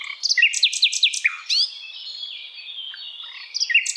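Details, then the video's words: Tutor song of an Asian brown flycatcher for cage songbirds: a fast series of sharp descending chips that runs into a long, wavering high whistle, then more chips at the end. "Sikatan londo masteran yang mudah ditiru segala jenis burung kicauan"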